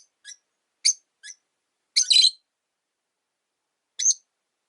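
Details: Pet rosy-faced lovebirds, three birds in one cage beside a window, with tension between the original white-faced bird and a new yellow-faced one; scattered short high chirps and one longer, grating squawk.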